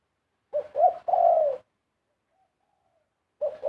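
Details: Large dove delivering its pleasing karam-style song: two short low coos followed by a longer, drawn-out falling coo, with a fresh phrase starting at the end.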